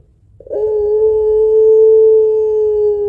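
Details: Spotted dove (puter pelung), a lively singer with long, deep coos, kept to stimulate other birds: one long steady coo held for about two and a half seconds at an even low pitch.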